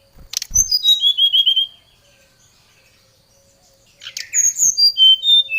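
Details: Vigorous Brown-chested jungle flycatcher lure song aimed at a rival: a couple of sharp clicks, then a cascade of high whistles dropping into a fast trill, a pause, and another descending whistled phrase.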